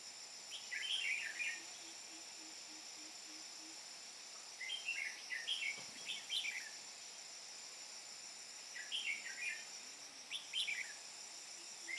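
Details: Red-whiskered bulbul kept as a decoy for trapping wild birds, Hoa Binh, Vietnam, 13 May 2017: three separate bursts of quick, bright, warbling chatter in the ché style a few seconds apart, with a constant high-pitched insect buzz behind.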